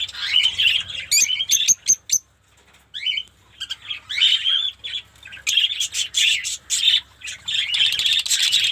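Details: Fischer's lovebirds kept in a mini colony in Pakistan: sharp squeaky calls and clicks, a near-silent pause around three seconds, then the shrill chattering chorus builds again, with some wing flapping.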